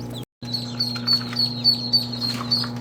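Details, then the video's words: After a short gap, ducklings keep up a stream of thin, high peeps, slightly buzzy and evenly spaced, with a faint low hum behind. "صيصان البط"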